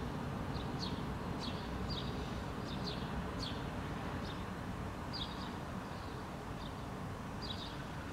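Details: Two Eurasian jackdaws on a rooftop in Helsinki, Finland, in June 2013 give short, sharp 'chak' calls, singly and in quick pairs, every second or so, over a steady low rumble of traffic.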